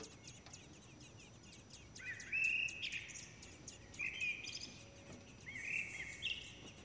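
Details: Common blackbird chicks begging as both parents feed them: three bursts of thin, strained, high squeals, each about a second long, rising slightly and clustered, over a soft hiss of background noise.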